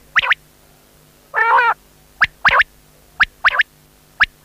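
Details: Quail producing short sharp whistled notes, often in doublets, about once a second, with one longer harsh grating note early on; light constant hum behind.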